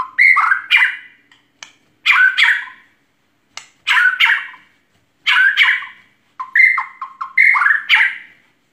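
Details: White-rumped shama in energetic song, giving a series of short, varied phrases of slurred whistles and harsh chattering notes, each about half a second long and spaced irregularly over several seconds.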